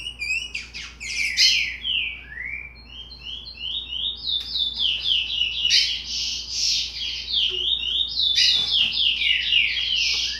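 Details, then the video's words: Sixty-day-old curió, a chestnut-bellied seed finch with immature song, giving jumbled high twitters and slurred whistles in uneven bursts over a steady low background hum. "Curió Filhote Cantoria Indefinida 60 Dias"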